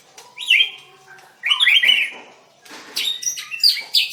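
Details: {'caption': 'White-rumped shama at a singing contest, recorded 7/25/16: three short bursts of song, each a quick flourish of bright whistles and sharp chirps separated by near-silent gaps, the last burst higher and busier.'}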